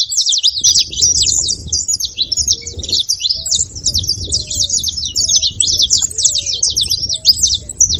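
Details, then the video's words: High chattering twitters from saffron finch pour out almost without pause. Short low hooting notes repeat softly in the background, about one per second. "Canário da terra fazendo barulho"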